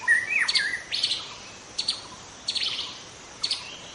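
A young white-rumped shama opens with clear whistled notes that swoop down, then gives short scratchy, chattering phrases roughly every second. No other sounds are heard.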